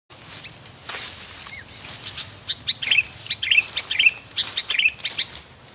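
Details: Sooty-headed bulbul giving short, bright chirping notes repeated roughly every half second, over a noisy background with rustling and soft fluttering.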